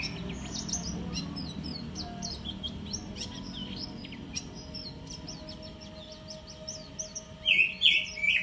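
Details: White-eye singing a fast stream of thin, high chirps and short twittering notes, several per second, closing with a few louder, lower warbled notes; a steady low hum underneath.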